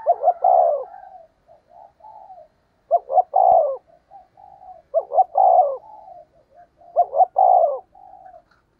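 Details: Spotted dove, a caged decoy bird used as a lure to draw in wild doves, repeats a deep cooing phrase about every two seconds, each a pair of throaty coos followed by softer trailing notes, with a single click.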